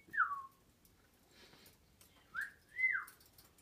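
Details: Cockatiel giving soft whistles: a short falling note, a faint rustle, then a rising note and a longer arched whistle that dips at the end, over low background hiss.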